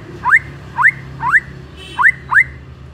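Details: White-rumped shama sound used to trigger another shama into singing: five sharp upward-sweeping whistles spaced about half a second apart, with a steady low hum underneath.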